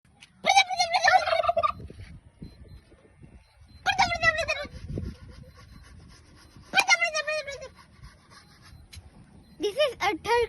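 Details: Turkey gobbling in reply to a person speaking to it. Four loud, rattling gobbles come about three seconds apart, the last one brief, over a low rumbling background.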